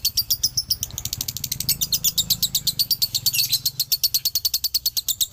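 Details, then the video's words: Male lovebird from Ciamis delivering dobelan: dense, high-pitched chattering chirps that speed into a continuous rattling trill, loud and unbroken over several seconds. "SUARA ASLI DOBELAN LOVEBIRD JANTAN"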